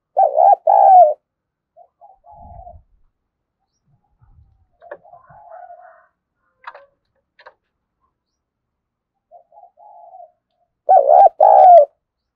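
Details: Spotted dove cooing hard to encourage young birds to start calling. Loud wavering double coos open and close the stretch. Soft murmured notes and a few light clicks and taps fall between them in a quiet setting.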